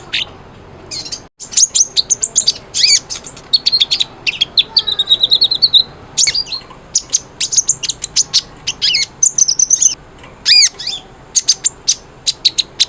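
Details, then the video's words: Energetic song of a cinereous tit (konin), recorded as a lure to get silent konin singing: long series of high, clipped chirps in quick bursts, a short trilled rattle midway, and downward-slurred notes. "MASTERAN KONIN GACOR, SANGAT AMPUH BUAT PANCINGAN BUNYI KONIN YANG BISU"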